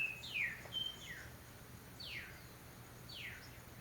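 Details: Mockingbirds in spring give a high note amid jasmine: loud, sweeping whistles sliding downward, several in quick succession, then two longer drawn-out falling slurs, over low background hum.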